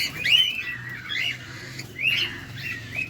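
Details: Cockatiel, caged pet bird, calling during feeding: two main bursts of drawn-out, slightly squawky, wavering whistled calls with softer chirps trailing off between them.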